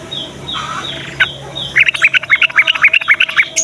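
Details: Yellow-vented bulbul in morning song, used as a lure to make reluctant young bulbuls sing: a fast string of about fifteen bright, bubbling notes follows softer chirps and a background of evenly repeated high calls.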